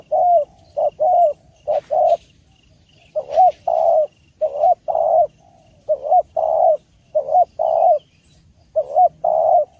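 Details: Spotted dove coos, suited for luring, repeated steadily: short low hooting notes alternating with longer rolling, quavering coos in phrases of three or four, with brief silences between groups and faint background chirps.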